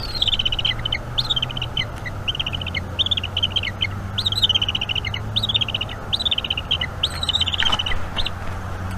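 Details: Bald eagle eaglet calling during an evening feeding at a North East Florida nest in May 2021; series of high, choppy chittering notes in short descending runs, with a low steady hum and a brief rustle.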